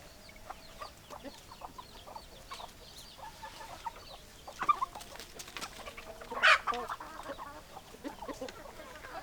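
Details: Hens clucking, with scattered soft, short clucks and one louder, sharper squawk near the middle, over a steady background hiss.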